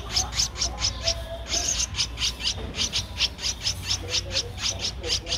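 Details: Streak-eared Bulbul chick at 13 days, Ubon Ratchathani, Thailand, 15 April 2023: continuous rhythmic high chirping, evenly spaced notes repeated quickly throughout, with soft low rumble behind.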